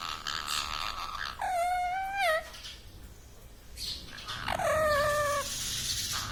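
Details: A pet talking parrot, tagged as a green ringneck, that says words like "mummy", "papa" and "radhe" gives two drawn-out, harmonic vocal phrases about two seconds apart, the second sliding slightly downward, with faint room noise.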